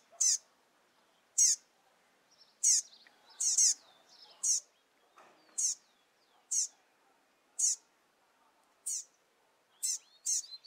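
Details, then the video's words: A recently fledged double-collared seedeater chick, just out of the nest and with its father, calls insistently: sharp, high, sweeping chips about once a second, eleven in a row, over a quiet background. "Filhote de Coleiro Chamando Muito"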